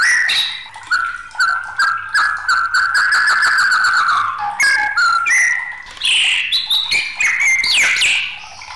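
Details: Agitated white-rumped shama song used as a tutor and lure recording: loud whistled phrases gliding and rising, interleaved with rapid sharp chirps and clicks in dense bursts, brief pauses between strophes.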